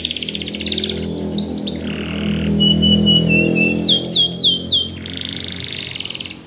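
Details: Spanish Timbrado canary training song: rapid trilled rolls, metallic rising and falling notes and bell-like tones in quick succession, over a steady low hum.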